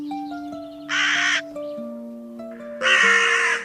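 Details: Real crow calls: two drawn-out, hoarse, rasping caws separated by about two seconds, set over soft, steady background music with slowly shifting sustained notes.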